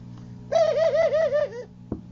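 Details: Pigeon giving a single wavering coo about a second long, pulsing up and down in six or seven soft beats before fading, followed by two brief knocks over a low hum.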